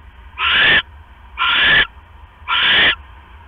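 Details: Owl pair at the nest late at night, 5 October 2015, while the male brings in a rat that the female quickly eats before settling on her eggs. Three evenly spaced, harsh hissing screeches about a second apart.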